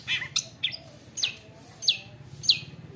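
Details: Long-tailed shrike, a wild-caught bird taken young from the forest, singing a fighter-style mimicry song: sharp high downward-sweeping notes repeated about every half second, with faint low background hum.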